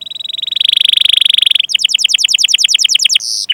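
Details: Canary singing to lure and train other canaries: a sustained buzzy roll, then an even series of rapid bright chirps and a closing harsh note.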